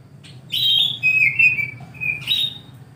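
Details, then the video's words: Oriental magpie-robin singing in the morning: a loud high whistled note, then a sustained lower whistle sliding gently up and down, ending in another bright rising whistle, with a faint low hum beneath. "KICAU KACER DI PAGI HARI"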